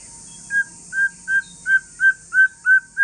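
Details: Wild-strain white-rumped shama of Aceh forest stock giving a calm song meant to prompt other shamas to answer: a clear whistled note repeated about every third of a second, steady pitch, over a faint constant high hiss.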